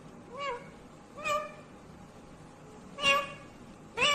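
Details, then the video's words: Talking ringneck parakeet voicing four short harmonic speech-like syllables spaced about a second apart, the later ones louder and higher. "Natural Sound of Talking Ringneck green parrot"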